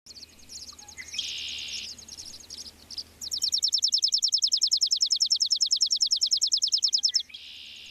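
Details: Chipping sparrow in an apple tree on a foggy day. A long, dry, even trill of rapid high chips runs for about four seconds. It is preceded by brief buzzy notes from other birds and a quiet background hum.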